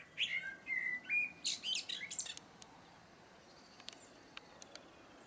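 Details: Blackbird song: a run of short clear whistled phrases near the middle of the range, then a burst of high, squeaky twittering, after which only sparse faint ticks sound over a quiet background.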